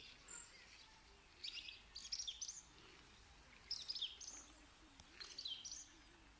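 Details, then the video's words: Three clustered bursts of high, scratchy chirping notes roughly every one and a half seconds, each a quick jumble of tweets, with a soft hiss between. "Amazing sounds of the bird"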